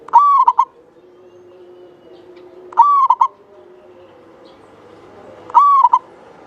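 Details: Local zebra dove from Java in lively song, with a long, bright voice used as a lure for other doves. Three quick-succession phrases about every three seconds: a held coo dropping slightly, then two short clipped notes, with soft background hum.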